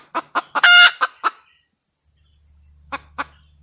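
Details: Red junglefowl hen: several short clucks around one loud, stretched squawk, a quiet pause, then two more clucks, against a thin high background whine.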